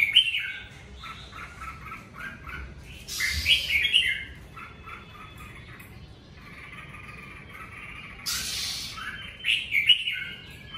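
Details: Caged red-whiskered bulbul at home in covid times giving natural 'ché' song, strings of quick chirpy whistled notes delivered in rapid bursts, with louder scratchy rushes around four and eight seconds and faint background noise.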